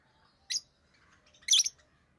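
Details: Two piercing high chirps about a second apart from rosy-faced lovebirds, including orange-faced green and red-headed green colour forms; the second note is louder and harsher, with near silence around them.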